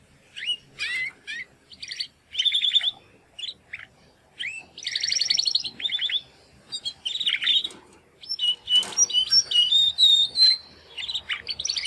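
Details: Two Timbrado canary brothers born in the second breeding of 2020, practising their first song after the first molt: dense run of rattling trills, buzzy rolls and rising whistled notes, with a brief knock of noise near the middle.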